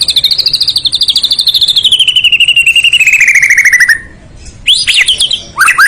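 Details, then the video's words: Murai batu, the white-rumped shama, singing a full isian song: a fast, even trill of bright notes that glides steadily downward over four seconds, followed after a brief pause by sharp, rising whistled chirps. "kicau murai batu.. fuul isiaaan"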